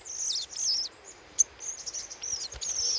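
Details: Little spiderhunter chattering as a lure call: a continuous thin, very high warbling chatter, wavering up and down, with one sharp click in the middle.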